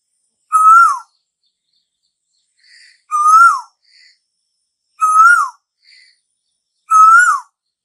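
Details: Asian koel, the bird said to call summer in: four loud whistled notes about two seconds apart, each rising then dropping sharply, with quiet short squeaks in the gaps.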